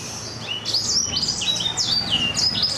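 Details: A four-month-old black-throated canary sings a quick, high twitter of sliding whistled notes, its voice rough yet crisp, with phrases tumbling roughly every half second over a faint low hum.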